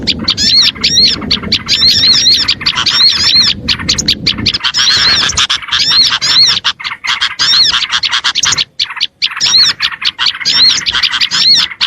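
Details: Small birds calling in an attraction track: dense high twittering and curling whistled notes, thinning toward the end into scattered short chirps.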